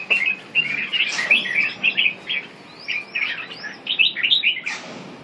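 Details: Red-whiskered bulbul singing: quick bright chirpy phrases, short warbled notes strung together with brief gaps, plus a few thin rising whistles, in a quiet setting.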